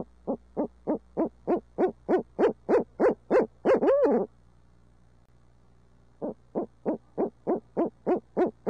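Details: In midtown Tulsa, an urbanized barred owl hoots in a fast, regular run of about fourteen notes, capped by a long wavering downslurred call; after a pause, another brisk series of hoots begins.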